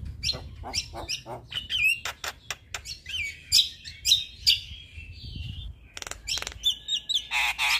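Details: Caged male Javan myna used as a master tutor for other mynas sings a lively mix of sharp clicks, rising and falling whistles and buzzy rasps, delivered in quick bursts.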